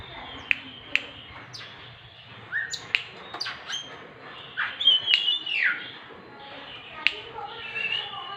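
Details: Oriental magpie-robin singing, its song played to coax non-singing birds into song; varied whistled notes, quick down-slurs and rising sweeps with sharp clicks between, in scattered phrases growing busier toward the end.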